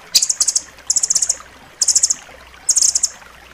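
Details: Rambatan loreng nuthatch song meant as training material for pet birds: four separate bursts of fast, thin, very high trilled notes, each lasting under half a second.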